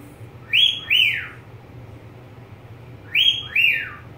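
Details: Pet budgerigar giving clear two-note whistles, each note rising then sliding down, the pair heard twice about two and a half seconds apart, over a low steady hum.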